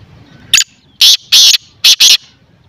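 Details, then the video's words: Loud grating francolin (teetar) call in a quick series of five harsh notes: a short first note, then two longer rasping notes and a final pair, each about a quarter second, over a low rural hum. "white teetar or kala teetar ki awaz /Teetar ki awaz"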